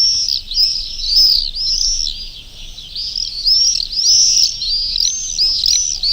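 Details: Shrill screams of swifts, church-nesting birds, during an afternoon live broadcast over the Urdaibai marshland, 1 May 2020; arched, piercing notes repeat quickly and unevenly, with loudness swelling and dipping as the birds pass.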